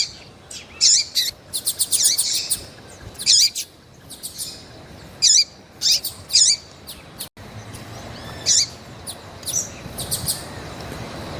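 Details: Female double-collared seedeater calling to stir up and stimulate males: sharp, high chirps and short buzzy bursts in uneven bunches, with quiet gaps between groups. A faint background hiss is present throughout.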